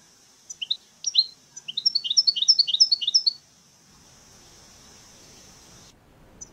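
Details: European goldfinch living free in nature, delivering a lively run of fast, high, tinkling twitters that build into a dense chattering phrase, then stop; quiet hiss follows.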